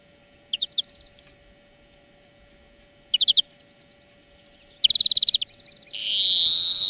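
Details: For training birds, a European greenfinch's lesson song: paired chirp groups, a fast ringing trill of about eight notes, then a long loud nasal wheeze rising slightly, over a steady hum.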